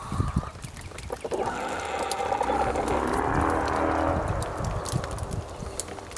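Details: Domestic rooster giving one long, harmonic crow of about three seconds that holds steady and then trails off, after a brief spoken remark, with rustling and low background noise.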